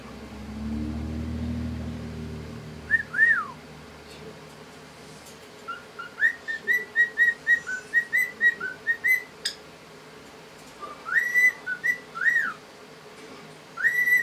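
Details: A happy male pet cockatiel whistles a run of short, clear notes around two kilohertz, some rising and falling, while showing off his little talents.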